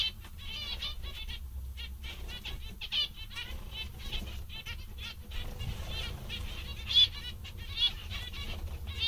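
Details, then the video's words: Zebra finches in a happy, lively mood chatter with soft nasal buzzy notes in irregular runs, with a couple of louder beeps near the end over low constant hum. "Mandarins bastante engraçados e contentes"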